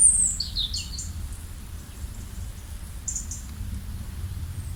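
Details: Birds chirping outdoors: a quick run of high, descending chirps at the start, then another brief burst of thin high notes, over steady low background rumble.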